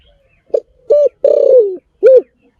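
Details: Spotted dove cooing clearly: a short soft note, then a level coo, a long wavering drawn-out coo that slides lower, and a final arched coo. The background is quiet.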